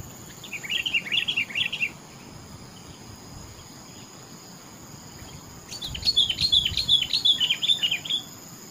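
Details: Sooty-headed bulbul delivering two separate bursts of quick, bubbly, rippling chirps, the first short and the second longer and slightly higher, with several quiet seconds in between and a soft background hiss.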